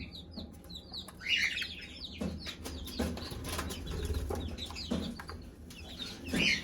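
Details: Mother hen calls her chicks to eat with scattered low clucks; chicks chirp high and thin throughout, and a brief flurry of wing flapping or scuffling sounds early on.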